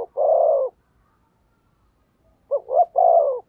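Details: Spotted dove decoy cooing strongly to lure wild doves: a long, steady throaty coo, a pause, then a phrase of two short rising notes and another long coo.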